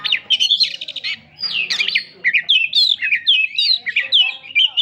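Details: Kacer, the Oriental magpie-robin, delivering fast energetic song: bright whistled notes and buzzy slurs repeated in quick succession, a longer descending sweep near the start, then a run of short rising-falling phrases.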